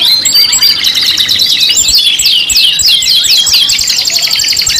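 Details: Canaries singing in a five-in-one lure mix: a run of sharp repeated chirps builds into fast, rolling trills and swooping whistles, high-pitched and nonstop throughout.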